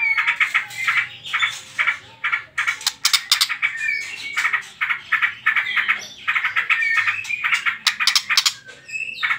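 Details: Trotol-style white-rumped shama song, played to provoke other birds into singing: fast repeated chattering bursts and sharp clicks, broken by short gaps, with brief whistled notes woven between the rattles.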